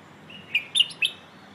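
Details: A Red-whiskered bulbul sings a brief 'phleng ho' phrase used in training young birds: a soft lead-in followed by three evenly spaced, emphatic whistled notes about a quarter second apart, with faint steady hiss.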